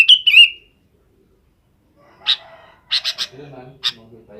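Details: Sooty-headed bulbul in the afternoon, calling companions to roost: opens with a bright, quavering whistled phrase, then silence, followed by a handful of short rasping chirps and low soft sounds.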